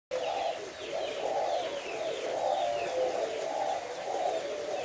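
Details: Spotted dove of the còi kim type, recorded 3 August, giving its five-note calling coo known as hậu 2: a run of soft, low, hollow cooing notes in a steady phrase over constant loud hiss.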